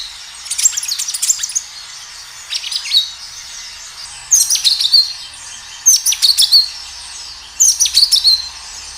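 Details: Gacor kinoi singing in a natural-sound lure recording: repeated short phrases of sharp, high, chattering chirps with a few clear whistled notes, about one phrase every one to two seconds, separated by quiet gaps.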